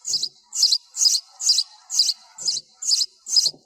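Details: Sparrow, background noise removed, sounding eight sharp high cheeps at an even rhythm of just over two per second, with a couple of soft low thumps.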